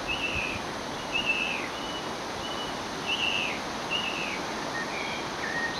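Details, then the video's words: Singing song thrush, noted for mimicking the common buzzard: a series of thin, slightly buzzy whistled phrases at a steady high pitch, repeated about once a second against a soft hiss of outdoor background noise. "Song Thrush singing"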